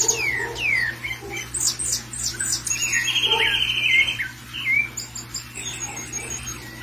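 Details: Sabiá thrush calling excitedly after seeing another thrush loose: sharp descending whistled notes, squeaky chirps and a buzzy, rattling trill in the middle, with a steady low hum behind.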